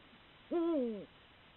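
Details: A Eurasian eagle-owl on a rutting night, caught by camera trap during a duel between two males over a female, gives a single deep, mellow hoot of about half a second that dips slightly at the end against a quiet night background.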